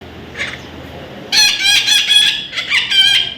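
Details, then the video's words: Baby parrot, described as an Indian ringneck, giving a run of loud harsh squawking calls after a faint opening note, several bursts in quick succession over about two seconds. "natural funny parrot sound"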